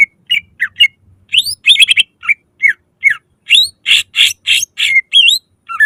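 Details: Greater green leafbird delivering loud 'nembak' song to make other leafbirds sing: sharp upslurred whistles and chirps about twice a second, then a series of harsh buzzy bursts and a final descending slur.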